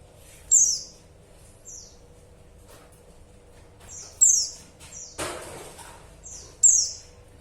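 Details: Female white-eye calling to the male: three sharp, very high, thin notes, each sliding steeply downward, spaced irregularly with softer fainter echoes between, plus one brief broadband knock near the fifth second.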